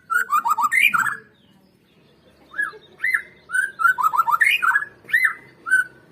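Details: White-rumped shama song used as a lure to prompt other birds to sing: bursts of rich whistled notes sliding up and down, with quick descending trills, separated by a short pause.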